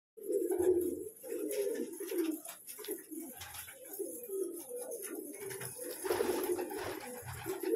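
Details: Colourful pet pigeons cooing: low, throaty, rolling coos pulse in overlapping bursts throughout, with several birds calling together and faint rustling and clatter in the background.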